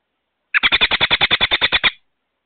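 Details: At a nest holding young, an American robin calls loudly on May 22 near a solar outdoor security camera: a fast string of about thirteen clipped, equal notes, steady in pitch and volume, against silence.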